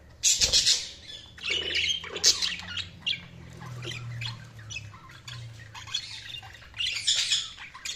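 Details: Several budgies chattering in a continuous stream of quick chirps, harsh squawks and warbled notes, loud at the start and rising again toward the end.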